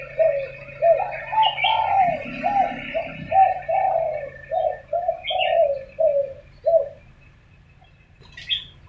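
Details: Morning exchange of spotted doves described as arguing, giving rounded, low coo notes in a rapid, irregular string lasting about seven seconds, then quiet; a few thin, high chirps from other birds break through.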